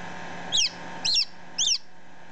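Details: Newly hatched chick, about ten minutes old, recorded close up: three loud, high, downward-sliding peeps about half a second apart over a steady low hum.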